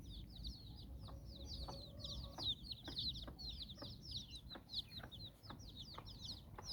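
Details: Chicken hen leading her nine chicks on an outdoor walk in Bizkaia, Basque Country; short low clucks repeated roughly every half second beneath dense high chick peeping.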